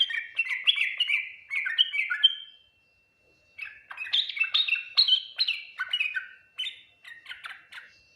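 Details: Yellow-vented bulbul giving full Ngriwik, Nguplik, Tuklik-Tuklik song that other bulbuls respond to quickly; two long flowing phrases of varied whistled and chirped notes, some rising high, with a short pause between.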